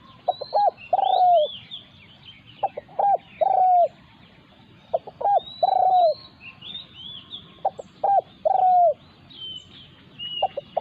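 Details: Spotted doves in a territorial clash: a wild resident bird takes on a decoy dove. Repeated phrases of two or three quick notes ending in a drawn-out, downslurred purring coo, about every 2.5 seconds, over constant high twittering of small birds.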